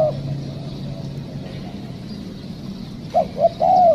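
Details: Wild spotted dove answering during trapping: after a stretch of steady low engine rumble, three short, hollow coo notes arrive close together near the end.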